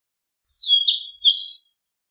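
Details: Narcissus flycatcher singing: two clear, warbled whistled phrases around a high pitch, each about half a second long, separated by a short gap, with no other sounds.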